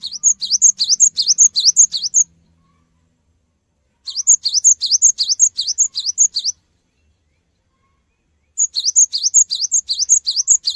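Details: Cinereous tit lure song for eliciting rapid replies from other birds: three steady bursts of fast, repeated high two-note phrases, each about two seconds long, separated by two-second silences, very regular rhythm.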